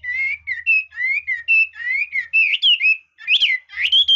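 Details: Red-whiskered bulbul in varied, well-delivered song: a steady series of clear whistled notes and slurred phrases, some rising, some falling, with a brief pause near the end before louder, richer notes. Faint low hum underneath.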